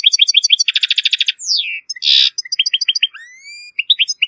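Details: Error-free European goldfinch song for training chicks of goldfinch and hybrids: quick twitters, a buzzy trill, a sliding downward whistle, a harsh rasp, then clear rising whistled notes.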